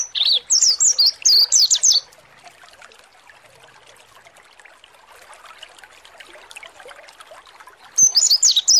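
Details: Mountain white-eye (pleci monty) lure: two seconds of fast, high twittering chirps, then a long stretch of faint hiss, and a short rapid burst again near the end.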